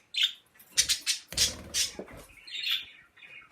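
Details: Pet birds give scattered high chirps. Several louder broadband bursts, perhaps fluttering or handling noise, break up the calling in the middle.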